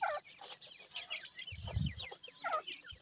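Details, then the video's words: Young francolin chicks at feeding, with rapid overlapping high downslurred cheeps in quick series, a brief low thump midway, and scattered clicks throughout. "dakhni teetar k chotay bachay with feeding,chicks ki boli"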